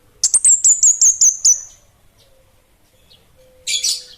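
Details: Orange-headed thrush (kemade) of the bunga api kecil type in lively song: seven rapid piercing high notes, each slurred downward, then a quiet steady low whistle and a short buzzy burst.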